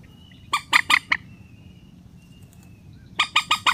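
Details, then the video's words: Rail call used as a relaxed-sounding lure to bring birds down into nets for trapping: two bursts of loud, nasal, harmonic notes repeated rapidly, with a thin steady whistle-like tone running faintly between them. "PIKAT BURUNG MANDAR SUARA SANTAI"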